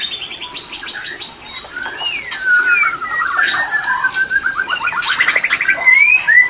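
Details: White-rumped shama mating song used to bring birds into breeding condition: a rich, varied run of clear whistles, rising and falling slurs and fast repeated trill notes, growing louder toward the end.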